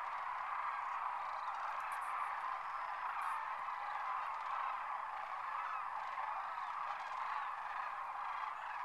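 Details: Sandhill cranes departing their winter roost at Whitewater Draw, McNeal, Arizona, home to thousands; an even, unbroken chorus of distant overlapping calls, with a few sharp clicks near the two-to-three second mark.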